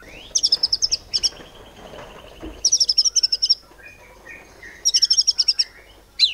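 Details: White-rumped shama in 'nembak cungkok cililin' song, said to provoke other birds to sing: three rattling runs of sharp high repeated notes spaced a couple of seconds apart, over a soft background hiss.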